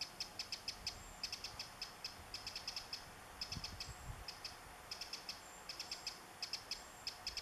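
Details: Eurasian wren, 27 July 2014, calling as it carries food to its nestlings: steady strings of crisp high tick notes in clumped bursts, a few faint grasshopper streaks, and a soft low thump midway.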